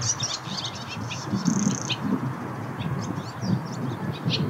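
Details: Barn swallow singing around mating, with thin high chirps and short scratchy twitters scattered through the recording over a steady low background rumble.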